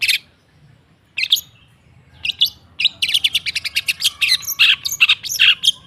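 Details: Long-tailed shrike song meant to coax silent birds: a few isolated harsh notes, then a quickening run of scratchy chattering notes and whistles in the second half.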